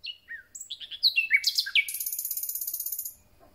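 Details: Common nightingale, just returned, singing its concert: a jumble of varied whistles and chirps gives way to a fast, even, high rattling trill that lasts over a second before stopping.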